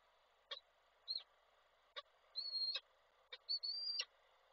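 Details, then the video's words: Peregrine falcon male arriving with prey for the female and calling her, Koszalin, Poland, 16 February 2024, falcon webcam. A short click, then three thin, level whistles that grow longer, each ending with a click, over a low hum. "samiec z prezentem, Nilę wołał"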